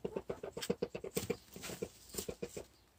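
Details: Four-year-old hen, not broody but perhaps beginning to be, gives a strange noise: quick low pulsed notes, about eight per second, rising and falling in loudness over three seconds, with scratchy rustling behind.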